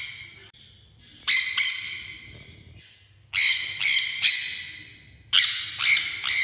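Sun conure giving loud, harsh, piercing screeches, in bursts of two or three every two seconds or so.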